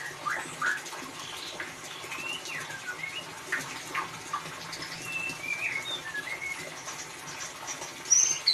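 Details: White-rumped shama singing ngeriwik, a lure for a bird that will not sing: rapid scattered chirps and short whistles, mostly high, ending with a louder sharp note, over a background hiss.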